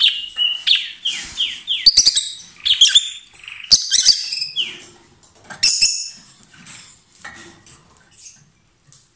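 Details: A pair of lovebirds kissing, perhaps passing food, singing loudly: rapid clusters of piercing descending squeaks and clicky chirps, thinning to scattered softer notes toward the end.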